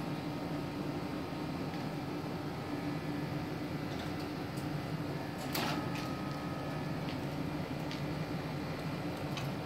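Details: Low indoor hum runs throughout, broken by a few sharp clicks and knocks, with no animal voices.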